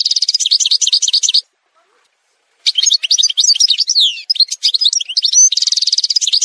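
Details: Edited song montage of an Algerian goldfinch: rapid high twittering and a rattling trill, a two-second silence, then varied liquid chirps, quick slurred notes and buzzy phrases delivered at high speed.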